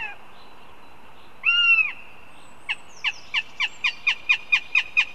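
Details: At a live-streamed nest in Riga, a northern goshawk chick begins begging calls: one drawn-out, arched wailing note, then a fast run of about ten short, sharp calls repeated every quarter second against steady background hiss.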